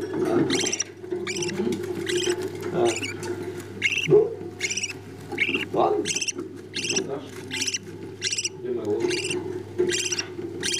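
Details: Budgerigar chicks beg with raspy, hissing cheeps about once a second while their parents feed them. A steady low hum and faint murmuring are in the background.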